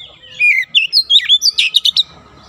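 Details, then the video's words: Oriental magpie-robin producing one fast, dense phrase of rich whistles, twisting slurs and sharp chips that lasts about one and a half seconds. Played as training material for young birds. "TERAPI KACER BAHAN CEPAT NEMBAK RAPAT"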